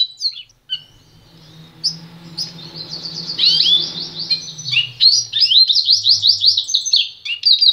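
A goldfinch-canary mule sings a fast, high, twittering song of bright rising chirps and quick trills, with a faint low hum behind.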